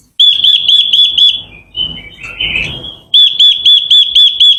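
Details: Japanese white-eye lure song used to provoke wild birds: rapid, evenly spaced high piping notes in a trill, a softer twittering passage with rustling, then the quick piping series again.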